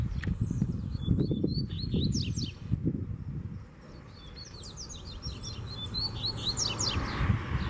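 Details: Double-collared seedeater flying free and pushing hard against a caged bird, singing repeated bright, high whistled notes and rapid slurred trills in two bouts, with low rumbling and thumping sounds in the background.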